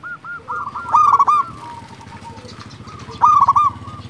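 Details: Prolific local zebra dove used to lure and excite other doves: soft rolling coos with two loud, harsh clustered bursts, one near the start and one near the end.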